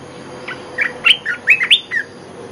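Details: Olive-winged bulbul lure call: a short run of bright, slurred chirps that rise and fall, several ending in upward flicks, with a steady faint hiss behind.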